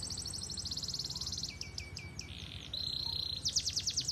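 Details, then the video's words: Canary song, quiet and distant over steady low background hum: fast high trills, a series of downswept whistles, a held buzzy note and a closing burst of sharp repeated notes. "kenari gacor"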